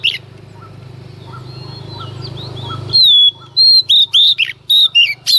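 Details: Early-morning song of a female Oriental magpie-robin meant to stir up males. A low hum fades out, then a burst of loud whistled notes begins, some falling or sliding and some clipped, repeated rapidly.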